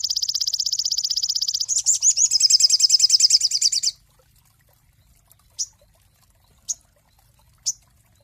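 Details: Cinereous tit master song for training songbirds: a long, fast, high buzzy trill that shifts into a louder, more varied run of rich notes for about four seconds, followed by three short, sharp, high chips spaced about a second apart.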